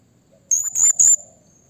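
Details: Blue-crowned hanging parrot calling to provoke rival birds, used as a lure: three very high, shrill, piercing notes in quick succession, the last the loudest, over a quiet background.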